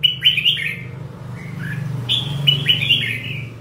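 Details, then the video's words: Red-whiskered bulbul in 'căng lửa' form, of the 'ché' type, giving two bursts of bright, slurred whistles separated by a short pause, over a low background hum. "chào mào hót hay, chào mào ché, chào mào căng lửa"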